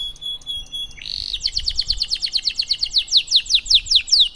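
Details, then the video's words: Long canary song meant to prompt silent canaries to sing: after a brief high whistled tone, a brisk run of repeated descending chirps in high pitch, steady rhythm of about two to three notes a second. "Burung kenari gacor Cengkok Mewah durasi panjang cocok buat terapi kenari agar cepat bunyi gacor"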